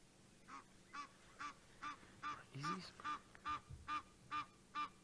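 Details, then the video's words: Alarm calls of Egyptian geese reacting to a leopard beside a dam at sunset, Djuma Game Reserve: regular nasal honks roughly twice a second, with a brief rougher sound overlapping midway. "the Egyptian geese basically alarm calling at the leopard that's the sound that you can hear"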